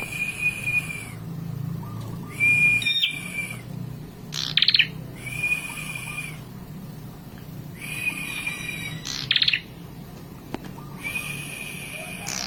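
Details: A prinia (prenjak kepala merah), singing actively, gives loud, high chirping bursts about a second long, repeated every two to three seconds over a steady background hum.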